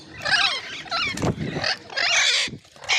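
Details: Loud ringneck parrot squawks, grating and raspy, in about four bursts over three seconds, one short descending squeal among them and a low thud near the middle.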